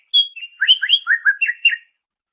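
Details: Greater green leafbird singing, recorded as master material for training songbirds: a brisk two-second phrase of loud ringing whistles and quick slurred swoops with a few very high tinkling notes.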